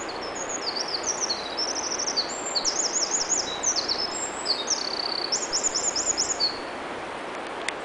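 A Eurasian wren pours out a long, very high, rapid song of sharp trills and zigzag phrases for about six seconds, over a steady rushing background hiss.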